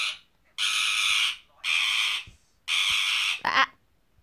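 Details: Female pet bird in a cage, getting angry while trying to chew the cage bars; three long, harsh, rasping growls of nearly a second each, separated by short pauses, ending in a brief sharp squawk.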